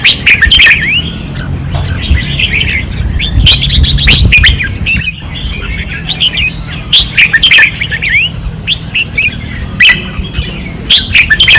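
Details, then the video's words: Fierce singing by red-whiskered bulbuls on a 2024 training perch: repeated bright warbled phrases and crisp chirps in waves, overlapping voices, sharp clicks between bursts and a low background rumble. "เสียงนกกรงหัวจุก ราวซ้อม ร้องอย่างดุเดือด"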